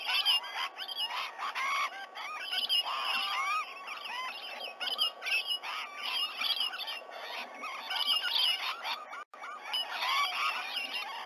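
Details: On the morning of 19 November 2020, around 7 a.m., a flock of rainbow lorikeets gathered around a sea-eagle nesting tree at Sydney Olympic Park keeps up a continuous chorus of shrill, screechy chattering calls, overlapping with hardly a pause.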